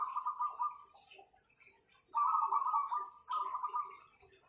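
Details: Zebra doves, called perkutut and kept by an owner, sing with strong voices: rapid, rolling, bubbling coo phrases in bursts of about a second, with a pause then two more close phrases, plus faint ticking and soft background chirps.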